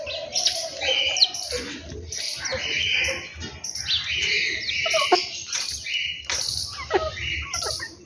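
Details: Several birds twitter at home in the morning, giving rapid high tweets and brief whistled notes one after another with little pause, over a faint low hum.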